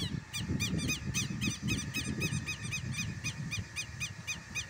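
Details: Angry southern lapwing scolding a person at a rural Brazilian property; a rapid continuous series of harsh, scratchy double notes, about four per second, over constant low rumbling noise.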